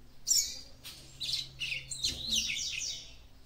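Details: Female capped seedeater song meant to excite a male: a dense run of bright, high twittering notes that blur into a continuous chattering phrase after a sharp opening chirp.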